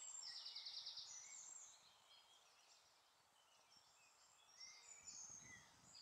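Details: White wagtail at Sterrebos, Sint-Michielsgestel, 14 May 2015, giving sharp, high chirps, loudest in the first two seconds, with faint twittering from other small birds behind.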